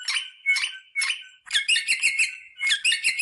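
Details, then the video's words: Brief rosella sequence meant to stimulate pairing: three short harsh calls about half a second apart, then a longer run of rapid buzzy chattering with a whistled note mixed in. "صوت طائر الروزيلا للتحفيز على التزاوج"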